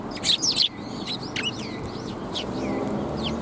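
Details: Sparrows at a Tenmangu shrine, recorded 9 December 2021: a burst of harsh, buzzy chirps in the first second, followed by a scatter of quick down-slurred tweets over a steady low background hum.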